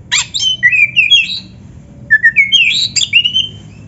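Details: Oriental magpie-robin singing, offered as training material for captive birds: two clear series of rising and falling whistled notes, each about a second and a half long, with a short gap between them.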